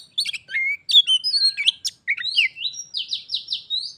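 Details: Pet Oriental magpie-robin challenged by a wild one, the singing match growing into a fight. Varied chirps give way to a run of repeated rising buzzy whistles, about three per second.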